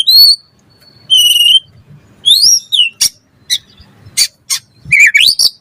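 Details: White-rumped shama, caged, used to tutor songbirds, singing clear high whistled notes, a rising-falling slur and sharp clicks, finishing with a twisting warbled phrase.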